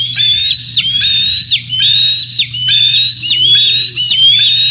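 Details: Morning at the Decorah North bald eagle site, 27 June 2024, juveniles present and fish being brought in; shrill sustained whistles rising slightly before a sharp drop, roughly once per second, loud and continuous.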